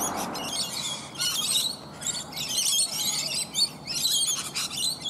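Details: A flock of rainbow lorikeets feeding on bottlebrush flowers high in a tree; dense, shrill, high-pitched squealing chatter in four or five overlapping bursts, with a soft low background hum.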